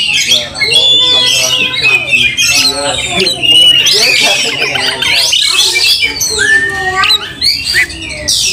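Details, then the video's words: Oriental magpie-robin provoked to fight, mixing harsh nasal squawks and scratchy calls with bright whistled phrases and downslurred notes throughout. "Kacer tarung bongkar emosi buka ekor dongkrak amarah bikin kacer lain tambah Garang KEPANASAN"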